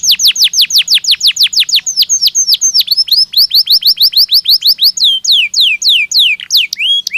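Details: Belgian canary singing naturally: quick repeated downward-swept whistles that shift midway into a faster chattering series, then slower, looping upslurred notes near the end.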